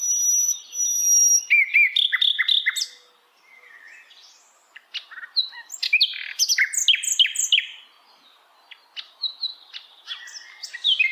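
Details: Hill blue flycatcher singing in wild forest habitat: long bright whistles open into dense, rapid phrases of chips, slurs and trills, separated by short pauses and repeated energetically.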